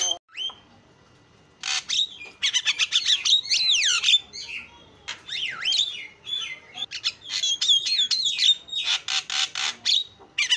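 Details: Javan myna singing constantly in 'isian' style for luring: one short note, a pause, then fast runs of rasping notes and swooping whistles, ending in quick repeated clicks and clear whistles.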